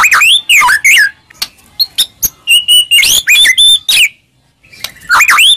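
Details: White-rumped shama song used as a lure to provoke a reply: loud clear whistled phrases, rising and falling sweeps, with sharp short notes between bursts and a brief pause near the end.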